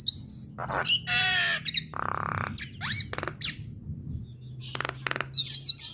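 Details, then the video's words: A female Javan myna sings to draw replies from other mynas, mixing thin high whistled flourishes with harsh buzzy rasps and sharp clicking bursts, then quick high trills at the close over a low steady hum. "Kicauan Jalak Kebo Betina Bikin Jalak Kebo Yang Dengar Langsung Respon"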